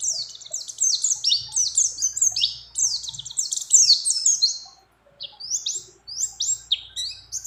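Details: Breeding-condition female mountain white-eye calling for a male, with other birds' notes worked in. Two fast volleys of sharp, high, downward-sweeping chirps, separated by a brief silence near five seconds.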